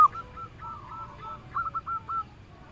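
A zebra dove gives a soft, mellow run of short cooing notes, quick and evenly spaced, ending in a brief trill-like flourish. Faint background hum.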